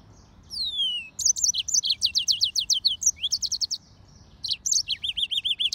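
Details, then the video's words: Hybrid of a yellow-fronted canary and a canary, singing: a long falling whistle, then quick repeated chirped notes in runs and a closing series of looping warbles. "طائر الياسمين هجين الموزمبيقي serin mozambique xCanary"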